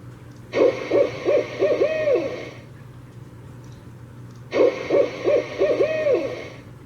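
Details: Barred owl (Strix varia), Iowa, a nocturnal owl, giving its rhythmic 'who cooks for you, who cooks for you all' hooting phrase twice, ending in a drawn-out, wavering hoot.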